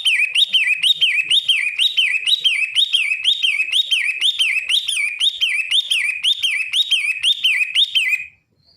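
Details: Long-tailed shrike song: a steady string of shrill whistled up-and-down notes repeated about twice a second, fairly uniform, ending abruptly, with no other sounds.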